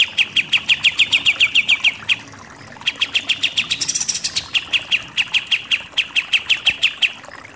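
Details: Pied triller performing 'nembak-nembak' shooting song as tutor audio for contest birds: repeated volleys of quick sharp notes, each a couple of seconds long, with one high buzzy flourish midway.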